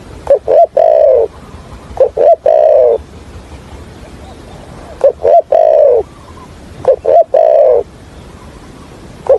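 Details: Decoy spotted dove of the Hạp bổi voice style, used for trapping, cooing in steady repetition. Four phrases come roughly every two seconds, each two brief low notes and then a drawn-out, slightly falling coo.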